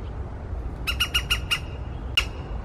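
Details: A woodpecker in the morning gives five harsh, squawky notes in a quick burst, about six a second, then one more after a pause, over a low background rumble.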